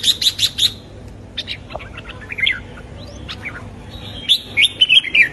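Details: Red-whiskered bulbul singing at dawn for song training: a fast series of high chips opens, then scattered squeaky, rising notes, ending in a lively warbled phrase.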